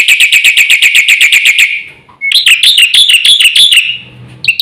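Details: Black-winged myna pouring out fast full song to coax silent birds: a steady run of quick chips, then a pause and a more varied, squeaky whistled phrase.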